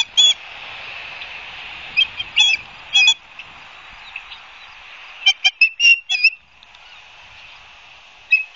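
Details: High whistled chirps from an osprey nest at Barnegat Light, New Jersey, on a live camera, 12 September 2022, afternoon. Scattered single notes and small clusters come over a strong broad hiss, with a quieter gap partway through.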